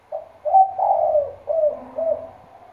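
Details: Spotted dove used as a lure bird in Trà Vinh, Vietnam, cooing in a deep, loud 'thổ sấm' voice: a short lead note, a long wavering coo, then two lower falling coos. A faint lower hum sits beneath.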